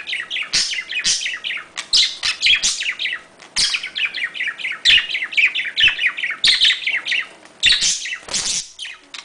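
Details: Budgerigar mating call, a lively run of repeated descending chirps and squeaky warbles, almost continuous, broken by brief clicks.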